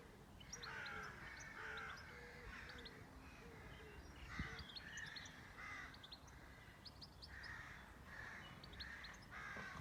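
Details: Mixed birds on a farm: rough, grating caws come steadily one after another, layered with scattered high tweets and a soft low repeated hoot over a constant rumbling background.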